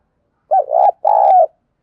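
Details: Decoy spotted dove voicing the 'thổ pha thúc' style used to train decoy birds: a clean pair of loud, grainy coos, the second held longer than the first.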